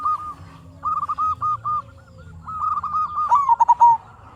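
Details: Local zebra dove singing as a lure to draw other zebra doves into answering. It gives a rapid series of short, clipped, mid-pitched coo notes in bursts, ending in a quick stuttering run, over a steady low background hum.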